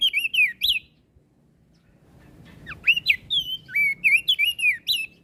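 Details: Flores crested white-eye in song meant to stir other birds into calling: bright bursts of sliding whistles, a silent gap over faint hum, then a rapid string of rising and falling whistled notes.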